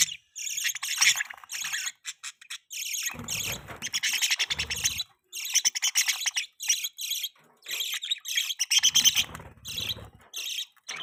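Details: Pet budgerigars chirping during mating: repeated bursts of high, ringing, rapid chatter, each lasting about a second, separated by short pauses, with occasional rough rustling between bursts.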